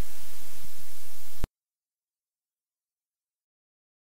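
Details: Broadband static hiss for about one and a half seconds, followed by complete silence, with no animal sound.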